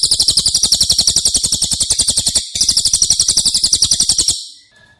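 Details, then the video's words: Cililin song offered as tutor audio for caged White-rumped Shamas: two bursts of a rapid, high, buzzy rattle of even notes, separated by a short gap, then fading to near silence. "Masteran CILILIN Materi Wajib untuk Burung Murai Batu anda!!"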